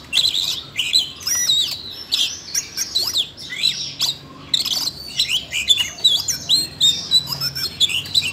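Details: Siberian rubythroat stirred to sing by voice-training playback, pouring out fast, high chattering warbles and whistled notes in rapid phrases, with one short lull about midway through.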